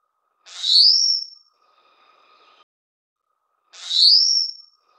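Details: Taiwan whistling thrush (Myophonus insularis) at the nest while feeding its chicks gives two harsh, shrill, rising screeches about three seconds apart, over a faint steady hum.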